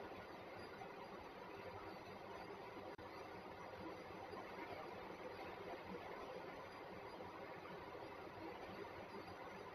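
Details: Quiet, even broadband hiss with a single brief dropout near the three-second mark and no animal sounds.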